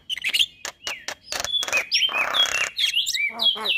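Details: Male white-eyed Javan myna singing to prompt other mynas to sing: harsh clicks and raspy noisy bursts mixed with short whistled notes that rise and fall.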